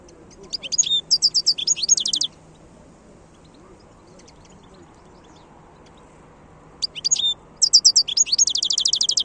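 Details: Wild goldfinch singing, recorded in 2022: two long bouts of rapid, high, liquid twittering and trilled notes separated by a quiet pause, over a faint hum.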